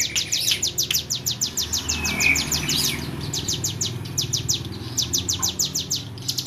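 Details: A tame hill prinia sings vigorously in a fast series of high-pitched ticking notes, pausing briefly midway, with a low steady hum behind.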